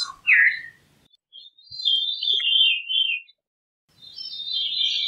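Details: Veery singing a clear, flute-like phrase that opens with a bright note and then runs into a wavering, downward-spiralling series of high tones. A second spiralling phrase follows after a short pause.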